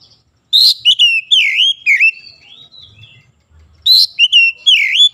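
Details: Morning sunlight oriental magpie-robin song: vigorous, varied whistles with bright upward flicks and falling slurs, in two dense bursts about three seconds apart, with little background noise.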